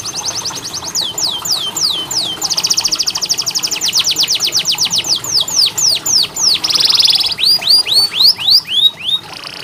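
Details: Tutor song for canaries that rarely sing: a row of falling whistles, a long rapid trill of sweeping notes, a loud buzzy roll, then spaced upward-curving chirps.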